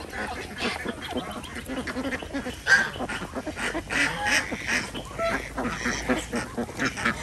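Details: Village-farm Desi ducks in Andhra Pradesh, recorded while eggs are collected in the morning; scattered hoarse quacks come in irregular bursts, some louder single calls standing out over a murmuring flock.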